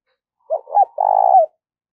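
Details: Spotted dove kept as a decoy bird during daily voice training, giving one coo phrase: two short soft notes followed by a longer, steady, slightly vibrating coo ending in a brief falling tail.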